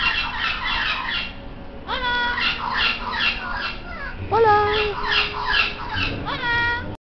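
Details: Pet parrot imitating the Spanish greeting "Hola", repeated in short harmonic, voice-like bursts of rising and falling tones, with a steady low background hum throughout.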